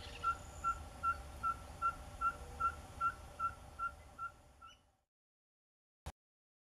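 A Ferruginous Pygmy-Owl gives a steady run of about twelve short, clear, mid-pitched whistled toots, roughly two and a half per second, over low background rumble.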